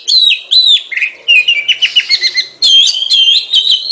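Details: Oriental magpie-robin singing: clear whistled notes slurring up and down, then a quick run of short chipping notes, followed by richer warbled whistles, with brief pauses between phrases.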